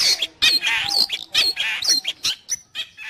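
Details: Long-tailed shrike song for training caged birds or luring wild ones: irregular harsh notes mixed with sharp, high whistled slurs, roughly one phrase per second with short gaps.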